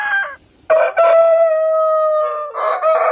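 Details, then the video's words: Single long rooster crow: a short note, a pause, then a loud sustained steady tone held for about two seconds before a final rougher burst. "Suara Ayam Berkokok Panjang Ayam Jantan Berkokok Rooster Crowing"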